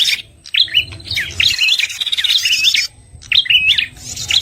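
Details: Red-headed prinia lure call, also used as bait for birds quiet after moulting: dense, scratchy chirps and hooks crowded into one long phrase, a pause, then a short closing cluster.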